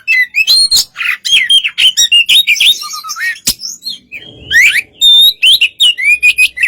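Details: White-rumped shama song to draw out a rival's reply: rapid varied whistles and chirps, a short pause with a single click, then sliding whistles and a pure steady note.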